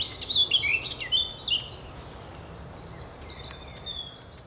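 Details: At the Oostplas in Goirle, Netherlands, on 24 April 2012, a Eurasian blackcap sings: bright rapid warbled notes in the first second and a half, then quieter thin whistles and chirps from other birds fading out.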